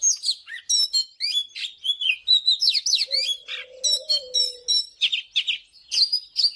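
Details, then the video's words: Morning song of an Oriental magpie-robin used to train singing birds: rapid, varied whistled phrases with sharp up-and-down slurs and repeated bright notes. A soft, low, steady hum runs in the middle of the passage. "เสียงนกกางเขนบ้านหรือนกบินหลาขี้ควายใต้ Chòe than HÓT SÁNG"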